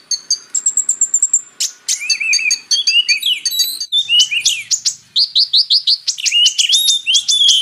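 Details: Purple-throated sunbird song used as a training recording: clipped high chips, a thin sustained whistle, then busy twittering with repeated upward-flicked notes, clean and without background noise.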